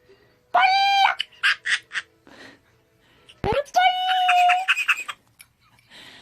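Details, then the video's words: Parrot indoors giving loud, human-like laughing sounds: drawn-out nasal tones with rich overtones, followed by choppy staccato bursts, a sharp click midway, then a rising wail breaking into rapid broken laugh notes. "the sound of a parrot laughing 앵무새 웃음소리"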